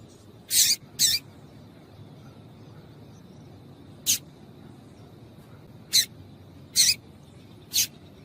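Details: Calls of a female yellow-bellied seedeater, used to stir males to sing: six crisp, high chip notes, the first two in a quick pair, the rest spaced about one to two seconds apart, with a faint constant whine behind.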